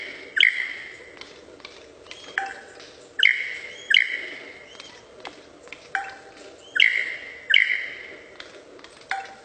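A lyrebird mimics laser guns with sharp, ringing 'pew' notes that drop in pitch, given singly or in quick pairs at uneven intervals over a soft background hiss.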